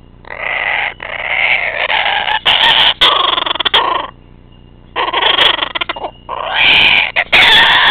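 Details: A kookaburra attacking gives loud, harsh cackling bursts lasting several seconds, with short pauses between them; a few sharp knocks are heard alongside.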